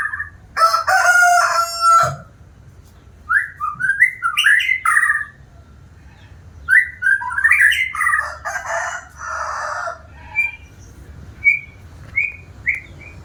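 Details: White-rumped shama, noted for singing diligently: a loud, rasping opening phrase, then bursts of tumbling whistled slurs separated by short pauses, and a closing run of brief, bright high whistles.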